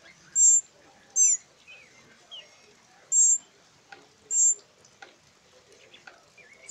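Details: Rescued nestling northern mockingbirds, a trio in rehabilitation before release, give four sharp, high-pitched raspy begging squeals at uneven intervals, separated by quiet gaps holding faint chirps and light handling noises.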